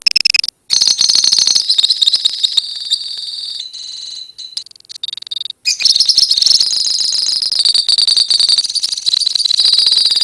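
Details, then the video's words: Colony lovebirds in long ngekek song: loud, fast, high rattling trills, a softer patchy middle section with scattered chatter, then sustained buzzy trilling to the end. "KICAU LOVEBIRD KOLONI INI TERBUKTI HANYA BUTUH WAKTU 4 MENIT SAJA LANGSUNG NGEKEK"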